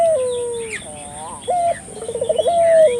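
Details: Barbary dove calling vigorously, used as a lure to prompt local doves to call: a low flat coo, then a rolled trilling coo ending in a long sliding note, with a steady high hiss behind.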